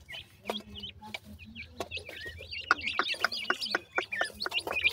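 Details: Black francolin chicks at play, giving a dense chorus of short, high chirps, many sliding up or down, overlapping one another, with a few low knocks and soft clucking sounds underneath.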